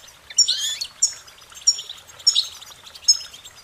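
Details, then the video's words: Goldfinch song of short, high warbling phrases with tinkling notes and a brief descending slur, bursts recurring about every 0.6 seconds. "Goldfinch Singing their Song"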